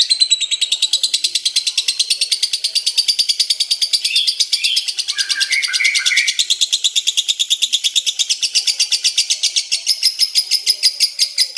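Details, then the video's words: Long 'ngekek' chatter from a lovebird, a song that runs almost four minutes: relentless shrill, buzzy pulses at roughly three per second, with a few lower chirps mixed in partway. "LOVEBIRD NGEKEK PANJANG HAMPIR 4 MENIT"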